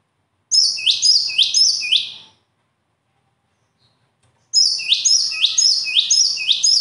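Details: A songbird repeats a fast series of high, ringing upward sweeps, a two-second burst followed by a pause and then a second, longer burst.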